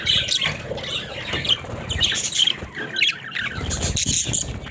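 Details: Talking pet budgerigars: choppy bursts of squeaky chatter and short whistled notes, broken by brief gaps, with some low thumps underneath.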